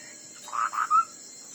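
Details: Chinese hwamei in a fighting song contest: a brief phrase of two full warbled notes ending in a pure whistled note, with constant background hum.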